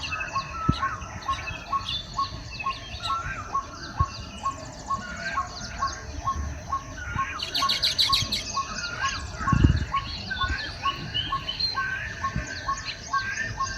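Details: Baya weavers in action after the first rains, chattering in a busy chorus of overlapping chirps, squeaks and wheezy notes.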